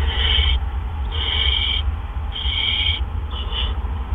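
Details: Barn owls in the nest during an evening gopher delivery, April 2013 around 8 PM: loud rough hissing screeches, three long bursts and a shorter doubled one, roughly one per second, over low hum.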